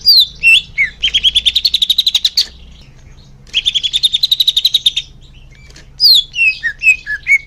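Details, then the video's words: Leafbird song played as therapy for young birds: descending whistles, two long fast buzzy rattling trills separated by a pause, then more sweeping downslurred whistled notes. "suara kicau murai daun untuk terapi burung bakalan"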